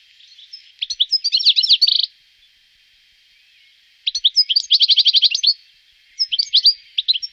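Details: European goldfinch recorded in Wittlich in 2018, giving two bursts of rapid, tinkling trilled notes high in pitch, each about a second long, separated by a short pause, then a brief third phrase.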